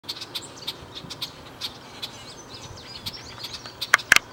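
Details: A male and female Red-winged Blackbird sitting at Chippewa Nature Center give short, dry check notes scattered irregularly, ending with two sharper, louder chips close together; faint background hiss.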